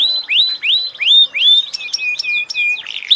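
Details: Singing canary giving a series of rising whistled notes about every third of a second, then shorter clipped chips and a brief scratchy note at the close.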